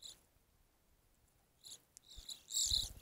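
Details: Evening grosbeak at a feeder: a brief high note opens, then quiet, then a few clipped calls and a final loud, harsh burst of overlapping high notes.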